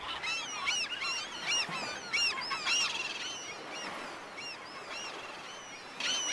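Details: Black-headed gulls calling: many overlapping harsh, nasal, arching cries from a flock, repeated rapidly throughout.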